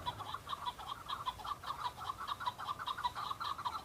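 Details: A male chukar in Kurdistan, in breeding season, calling and answering rival males while displaying and fighting to attract females, gives a steady run of clucking, chuck-like notes, roughly one or two every half second, with a faint low hum beneath.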